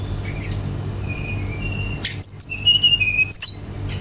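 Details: Brown-chested jungle flycatcher song intended as a lure to make other birds sing: a quiet thin whistle, then a brisk loud run of sharp high notes near the end against low background hum.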